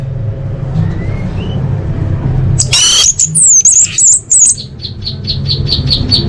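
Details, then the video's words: Caged orange-headed thrush singing as a lure: a harsh burst opens a high, rippling whistled phrase, then a string of short, evenly spaced notes, with a constant low hum behind. "Pancingan Anis Merah Paling Efektif: Meningkatkan Gacor & Kualitas Suara Burung!"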